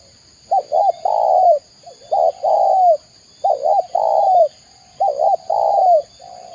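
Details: Spotted dove of Indonesia, known as tekukur, repeating a clear coo phrase four times: a double hooked note then a long falling coo, spaced about every one and a half seconds.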